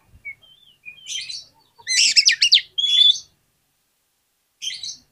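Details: Lure song of an oriental magpie-robin meant to make other magpie-robins sing: soft thin whistles, then a loud burst of fast, jumbled sweeping notes and a bright whistled phrase, with a short final twitter.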